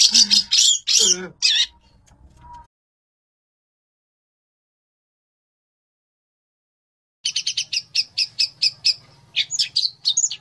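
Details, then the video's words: Fighter-type long-tailed shrike master bird: a few loud, harsh, squawky bursts, then several seconds of silence, then a quick even series of sharp high chips at about two per second. "MASTER BIRD CHIRPING THE LONG TAILED SHRIKE FULL 30 MINUTES FIGHTER"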